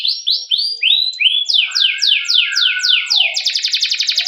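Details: Canary singing a long rolling song used as a lure to train other canaries: a run of high descending whistled sweeps, slow at first then quicker, over a faint lower tone, breaking into a rapid buzzy trill at the end.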